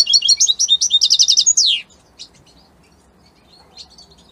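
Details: Italian-type European goldfinch in strong song: a fast run of high, repeated jingling syllables and a buzzy trill closing with a falling slur, then near silence broken by a few faint chirps.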